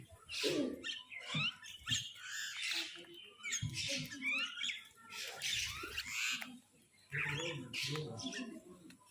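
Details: Crows fighting over food give harsh, broadband squawks in quick irregular bursts, some caws falling in pitch, with brief pauses between flurries and chattering from other birds mixed in.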